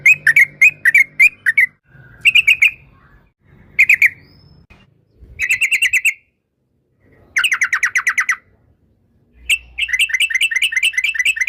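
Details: Sooty-headed bulbul giving 'ropel'-style rapid song to stimulate other birds: several bursts of quick, evenly repeated notes separated by silent gaps, each burst lasting one to two seconds.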